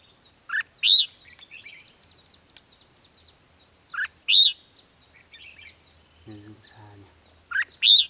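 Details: Red-whiskered bulbul, trapping session in Hòa Bình, Vietnam, 16 April 2016; a loud, bright whistled phrase repeats three times, roughly every 3.5 seconds, over faint chirps of other birds and quiet men's voices.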